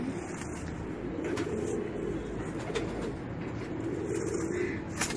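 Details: Racing pigeons producing soft, rolling coos in repeated phrases, with occasional faint clicks and background noise.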